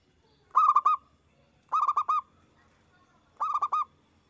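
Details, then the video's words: Zebra dove song used to get other doves singing: three cooing phrases, each a fast rolling run of four or five notes, spaced just over a second apart. "Perkutut gacor suara besar bikin ON nyaut buka paruh"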